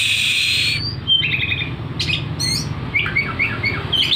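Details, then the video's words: Oriental magpie-robin singing with its tail fanned: a sustained buzzy note rising into a whistle, then spaced chirps and short sweet phrases, with a steady low hum behind. "Burung Kacer gacor buka ekor ngotot"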